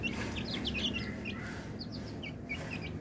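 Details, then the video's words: Twenty-day-old chicks peeping: short high chirps, many overlapping, in quick bursts, against a steady low hum. "Cute Baby Chickens/ Chicks - Funny Baby chicks"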